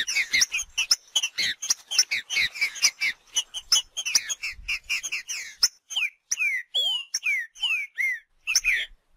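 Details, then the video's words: Green-winged saltator singing 'macheando' in the wild, starting with dense rapid chirpy notes and clicks, then settling into slower, clear, falling whistles with short pauses between them. "TRINCA FERRO MACHEANDO NA NATUREZA"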